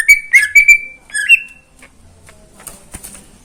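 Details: Morning song of a caged greater green leafbird: a brief run of clear, level whistles with quick chips, one rising slurred note, then near silence with faint clicks.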